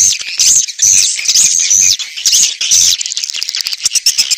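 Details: Swiftlet lure sound used to draw swiftlets, for outdoor or indoor loudspeakers: high, thin chirps repeated about twice a second in a fairly steady rhythm, over a busy twittering background with soft low thumps.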